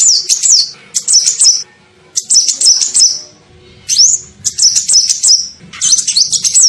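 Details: Kolibri ninja sunbird, bird-luring call: high, rapid trilled and zigzagging twitters in short repeated phrases, one opening with a rising swept whistle, with brief gaps between.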